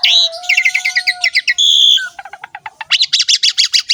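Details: Ngerek-style song of the jalak suren (Javan pied starling): a rapid buzzy chatter over a steady low whistle, a brief harsh note, then a quickening series of loud rhythmic clicks.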